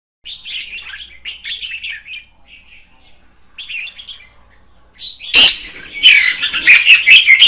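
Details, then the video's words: Female red-whiskered bulbul singing to stimulate the male: bursts of bright, chattering warbled notes with brief pauses, then a loud sudden noise burst followed by louder, dense twittering phrases. "Chào mào mái hót kích trống Red-whiskered female"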